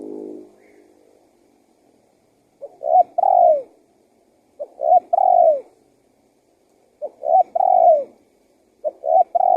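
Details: Spotted dove lure call, used to draw wild doves in and set other doves calling: four mellow cooing phrases, each two short notes then a long note that falls at its end, coming roughly every two seconds with quiet gaps.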